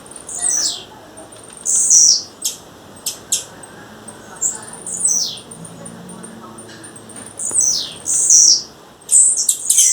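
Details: A female blue-black grassquit calls in the wild with high buzzy falling notes, mixed with quick sharp clicks and ticks between phrases.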